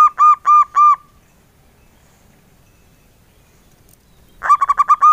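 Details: Local male zebra dove: the tail of a phrase with three spaced coos, a pause of about three seconds, then a new rapid stuttering run of soft low engkel-style coos.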